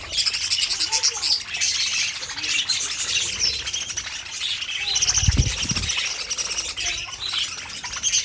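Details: Captive budgerigars in a colony aviary twitter in a dense high chorus of chirps and squeaks, broken by a soft low thump midway.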